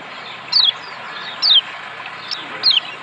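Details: Lombok white-eye, meant to make lazy birds sing: three crisp, high, falling chirps about a second apart against soft steady hiss.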